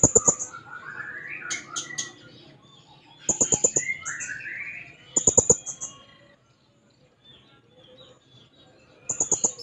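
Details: Active blue-crowned hanging parrot seeking a rival gives bursts of piercing high chips every two seconds or so. Sweeping slurred chatter runs between the bursts, ending in quiet.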